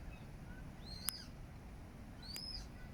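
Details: Eurasian coots with chicks, Regent's Park, London, July 2024; two sharp, high arched squeaks about a second apart, the first with a click, against a low rumbling background.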